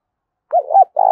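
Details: Mellow cooing of a spotted dove used as a trapping lure: a short wavering hoot rising into a longer note that dips at the end, followed by a steady, buzzy hoot.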